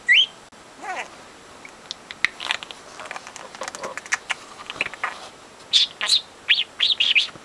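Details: Pedro, a 4-month-old pet budgie that talks nonstop, mostly overheard conversations, chatters in speech-like babble mixed with sharp rising whistles and quick high chirps, ending in a run of squeaky notes.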